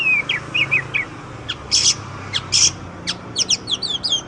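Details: Oriental magpie-robin song in a training recording for songbirds. Opens with soft slurred whistles, then a series of loud harsh rasps. Ends with rapid, high, downslurred whistles over a steady low background hum.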